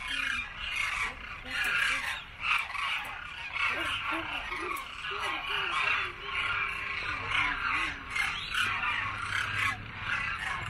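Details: A large winter flock of demoiselle cranes at a grain-feeding site in Khichan village, Rajasthan, circling overhead after feeding before their return migration, gives a dense continuous din of overlapping raspy, croaking calls, with people talking nearby.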